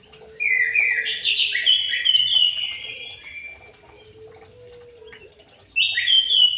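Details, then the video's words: White-rumped shama singing in an aviary: rich, varied whistled phrases that slide up and down, pausing and then resuming. A steady low whistle from another bird runs underneath. "BURUNG MURAI BATU DI AVIARY"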